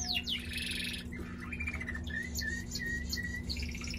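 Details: Male pet canary singing a varied phrase: quick falling sweeps, a brief buzzy trill, then a series of flat whistled notes, over a steady low electrical hum.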